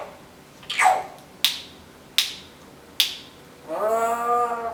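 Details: Female Timneh African grey parrot, a pet indoors, imitating household noises: a whistled downward note, three sharp clicks about every 0.7 seconds, then a long harmonic droning sound.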